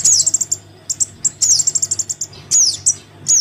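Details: Crimson sunbird chick summoning its parent, a lure for wary sunbirds: rapid high-pitched ticking runs interrupted by thin downslurred squeaks and isolated chips, sounding busy and insistent.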